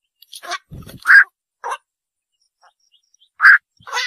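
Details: Black-crowned night heron giving scattered hoarse calls, two loud rasping croaks about two seconds apart among softer notes, with a faint low rumble early on.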